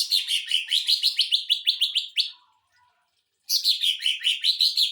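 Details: Greater green leafbird delivering "tembakan mesin jahit" song, used to train and provoke other birds: fast, steady rattle of buzzy repeated notes for two seconds, a short pause, then the rapid series resumes.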